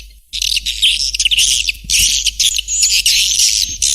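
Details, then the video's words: Swiftlet calling sound used to attract birds, a dense chatter of high twittering chirps with thin whistled notes running through, starting after a brief silence and continuing without pause. "Suara Panggil Burung Walet"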